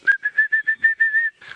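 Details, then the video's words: Orange-breasted bushshrike calling its 'coffee tea or me' phrase along a river section lined with big jackalberry trees; a clear whistled series of about eight short, even notes in quick succession, strong and clean with little background. "We hear that coffee tea or me, which is the orange-breasted bushshrike."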